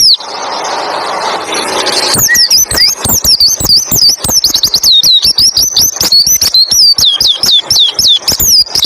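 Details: White-eye tutor song, 'roll tembak ngalas' style, for making other white-eyes sing along. It opens with two seconds of loud hissing noise, then gives way to a long, rapid rolling series of high, downslurred whistles and clicks.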